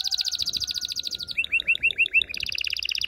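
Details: Loud canary singing to excite females and males for mating: a quick rolling trill, then a row of looping rising-falling chirps about six times, ending in another rapid bright trill.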